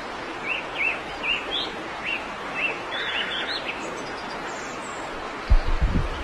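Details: Wild yellow-vented bulbul: a run of short chirped notes about every half second for roughly three seconds over steady hiss, then a few low thumps near the end.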